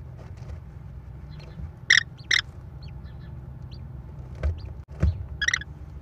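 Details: American kestrel at a Wisconsin nest on 13 May 2021, where the mother brings prey to feed her four chicks, giving harsh, shrill bursts in two close pairs several seconds apart, over a low rumble and faint chirps.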